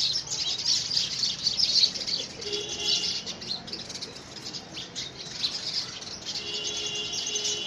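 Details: House sparrows squabbling for a nest box in the first week of February 2017. A loud flurry of sharp chirps comes early, eases in the middle, then the chattering picks up again.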